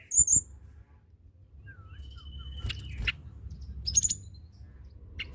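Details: Hill blue flycatcher in lively song meant to stimulate others: a high whistled note, a thin level whistle, then sharp chirps and a bright high flourish, over a low rumble.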